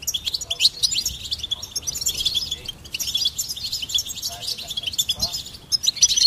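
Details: A goldfinch sings a continuous, busy twitter of high, sparkling chirps and buzzy trills with hardly a break; the recording is clean, with little low background noise.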